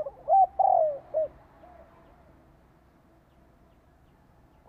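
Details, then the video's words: Spotted dove decoy call used to lure birds and set caged doves cooing: a short mellow coo phrase of three or four hollow notes, one longer and drawn-out, then quiet with faint low background hum. "Chim cu gáy kích bổi Chiêu Thúc rước bổi nhập tàn - Kích chim nhà nghe nhanh gáy theo"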